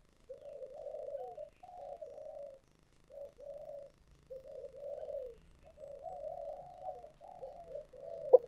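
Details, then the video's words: Spotted dove in the 'giọng thổ sấm' voice, heard softer and farther off, giving a steady run of low, gentle, wavering coos in short groups separated by brief pauses. "chim cu gáy giọng thổ sấm chuẩn nhất"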